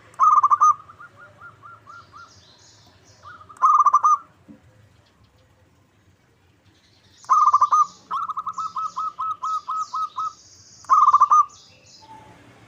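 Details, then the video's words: A local zebra dove sings as a lure to draw answers from other birds: loud bursts of quick staccato coos, some opening into longer runs of evenly spaced rolling notes, repeated with pauses of several seconds. "Pancingan PERKUTUT LOKAL Agar Bunyi 100% Ampuh! bikin lawan nyaut."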